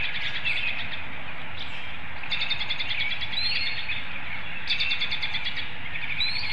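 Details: Bald eagle on a Hanover, Pennsylvania nest, filmed by webcam at about 7 AM on 25 March 2019 while pressing its mate for a nest exchange during incubation. Two bursts of quick, high, stuttering notes rise above continuous background birdsong.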